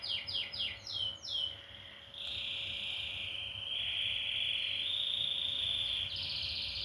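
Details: Canary singing: a run of rapid falling notes repeated about five times, then long sustained trilled rolls with slight shifts in pitch, ending in a higher buzzy trill; low hum in the background.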